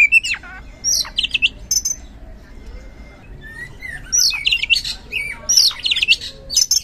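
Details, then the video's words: Oriental magpie-robin lure song for provoking reluctant singers: scattered harsh chattering notes and slurred whistles in bursts, separated by short quiet gaps. "Super Ampuh Pancingan Kacer Gacor Ngeplong | Cocok Buat Memancing Kacer Yang Malas Bunyi Auto Respon"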